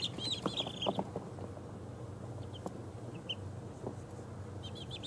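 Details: Two-week-old baby chickens of mixed breeds (ISA Brown, Barred Rock, Easter Egger, Speckled Sussex, Australorp) falling asleep; a few soft high peeps in short bursts over a steady low hum.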